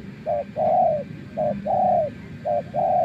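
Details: Spotted dove serving as a trapping decoy, tamed after many days outdoors, repeats a crisp two-part coo three times: a short note, a tiny gap, then a longer sustained coo that tails downward.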